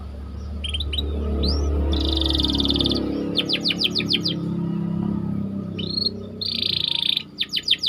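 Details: White canary song meant as bait for training, rolled trills and swooping whistles in bursts over a steady low rumble of background noise.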